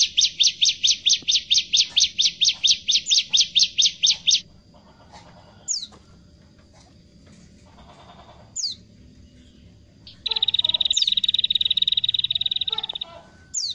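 A prinia gives a loud, rapid series of about twenty harsh high chips, then scattered thin notes and a fast buzzy trill. Nothing else is heard.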